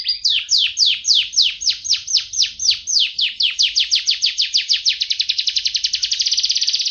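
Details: Canary singing a loud series of steep downward-swept chirps that speed up steadily and end in a rapid, buzzy high trill, all bright and piercing.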